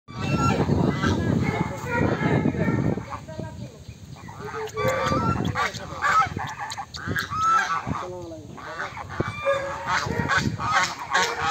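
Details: A flock of domestic geese, described as swan geese (Anser cygnoides), honks loudly and continuously, with harsh, nasal calls overlapping from several birds and faint human voices in the background.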